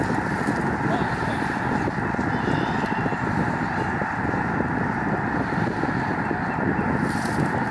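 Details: Lake Springfield, Illinois, during migration: thousands of snow geese calling at once, a dense, level roar of merged honking with no pauses, audible along the shore.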